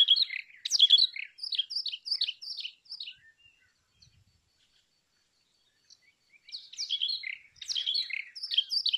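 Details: Brown rock chat singing two bouts of rapid, high chirps and twitters, each lasting about three seconds and separated by a quiet gap of roughly three seconds. No other sounds stand out.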